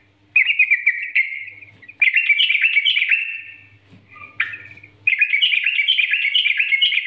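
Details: Yellow-vented bulbul training song meant to prompt captive birds into singing: long runs of rapid, warbling chatter, rich and slightly rising, broken by brief gaps, with a faint low hum.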